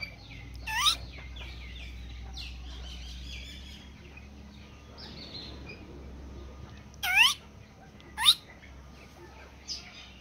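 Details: Red golden pheasant calling: three loud, harsh calls near the first, seventh and eighth seconds, each a noisy burst with an upward-sweeping tone, over a steady low hum, with softer chirping from other small birds early on.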